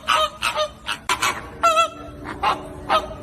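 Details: Flamingos giving loud nasal honks in short bursts, some overlapping, with a longer drawn-out honk near the middle and several birds calling at once.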